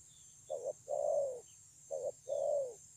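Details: Wild-caught spotted dove at Kon Long on 9 June 2020, singing in the 'thổ âm' style: two deep phrases, a brief wavering note then an extended coo dropping slightly at the end. Weak chirping from other birds.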